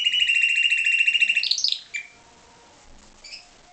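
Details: Pied Timbrado canary, captive-bred, delivering a rapid regular trilled roll for about a second and a half that ends in a rising flourish, followed by near silence with faint chirps.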